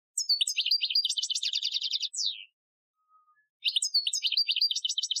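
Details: European goldfinch performing an Algerian training song recorded in 2015: a long, busy stretch of rapid, varied high twitters and trills sliding down at the end, a short pause, then the twittering phrase starts again.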